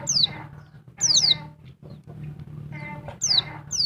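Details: Female oriental white-eye of the Dakun Bali variety calling noisily to a male. A few piercing descending chirps, some doubled, rise above a steady rough background murmur.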